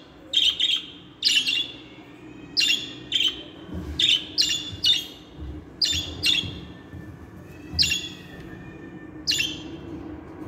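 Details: Budgerigars kept as pets, song played to help budgies learn to sing and talk; evenly spaced buzzy chirps, often in pairs, repeating about every second.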